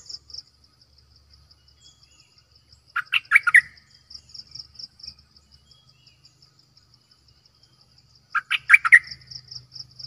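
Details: Decoy bulbul kept for luring birds: two short bursts of rich, warbled notes at about three and eight seconds, with a steady high insect trill running beneath throughout.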